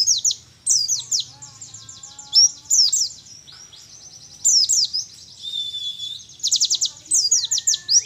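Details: A young wild-caught Mountain white-eye from Mount Ciremai, Majalengka, West Java, gives a rapid, high, twittering song of thin chirps and slurred whistles, run together in quick bursts with brief pauses, over a faint low hum.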